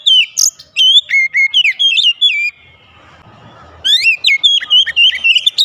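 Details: Oriental magpie-robin song played as therapy to make a reluctant caged bird sing: loud, clear whistled phrases with rapid up-and-down slurs and short notes, broken by a quiet pause, then resuming.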